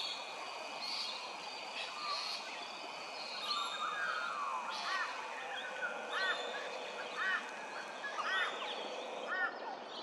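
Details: Magpie-lark nest building at Hervey Bay, Queensland: ringing, looping two-part notes repeated about once a second, over steady background hiss and faint high chirps from other birds.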